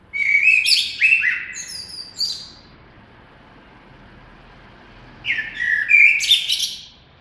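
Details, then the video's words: Common blackbird singing two fluted warbling phrases with thin high twittered endings, separated by a quiet pause of about two and a half seconds. "Κότσυφας. Blackbird Song & Calls"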